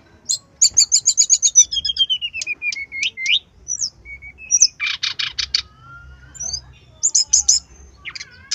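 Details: Brown-chested jungle flycatcher in persistent song, said to be in breeding condition and agitated: a quick series of about ten even chirps, gliding whistles, a buzzy rattle, then scattered high notes.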